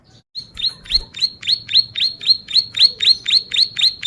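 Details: Bar-winged prinia singing in full voice, a tutor and lure recording. After a short silence, bright upswept notes repeat quickly and regularly, about four per second, over a quiet low hum.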